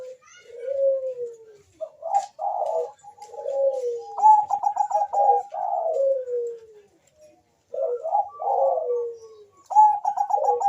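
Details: Bangkok-type zebra dove singing: soft low coos, each phrase a stuttered burst of short notes that slides into a long falling drawn-out tone, repeated several times with brief silences between.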